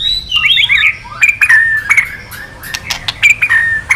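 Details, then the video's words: Male white-rumped shama in kretekan, used to provoke rival males: a quick warbled flourish, then short clear whistles broken by sharp clicks, repeated at irregular intervals. "Suara KRETEKAN BURUNG MURAI BANGKITKAN EMOSI MURAI JANTAN KELUARKAN ISIAN!"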